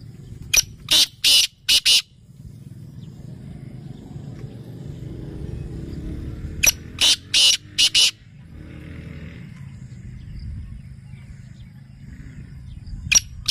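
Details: Rasping, buzzy calls of a black francolin: a four-note phrase early and a similar phrase about six seconds later, with a lone note at the end, against low rumbling background noise.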